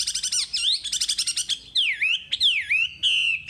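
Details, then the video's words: Wambi in a tutor-song recording: fast stuttering high notes, then several strong descending slurred whistles, each curving down and flattening into a steady tone. "Masteran Wambi paling istimewa full materi"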